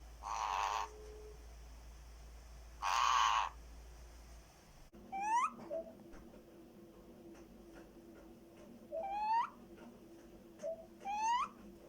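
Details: Black-headed caique, a pet parrot making funny noises; two short harsh nasal bursts, then after a pause three sharply rising whistled calls with rich harmonics, each preceded by a brief note, over a steady low hum.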